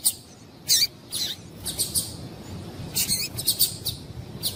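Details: Female double-collared seedeater calling to rouse a male: irregular high, scratchy chirps in short clusters, some with bent, squeaky notes, over a soft low background rumble.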